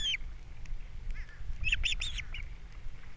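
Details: Wild osprey pair at a nest on Captiva, recorded by a nest camera on April 3, 2022, as the male brings fish for breakfast and the female feeds the chicks; a few brief, high whistled chirps in a short cluster over steady low rumble.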